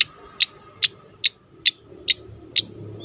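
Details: Striated grassbird in its tembakan song style, kept as a master recording to train and provoke other songbirds: sharp, loud clicking notes repeated steadily about every 0.4 seconds, eight in all, over a faint low hum.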